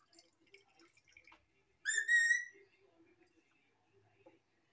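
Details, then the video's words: A household parrot gives one loud, ringing whistle-like call lasting about half a second, with faint clicks and soft background sounds before and after. "Parrot speaking"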